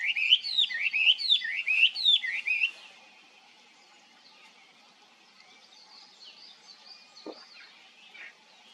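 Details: Chinese hwamei singing loud, rich whistled phrases, rapid rising-and-falling notes repeated about four times a second for under three seconds, then quiet with faint distant bird notes.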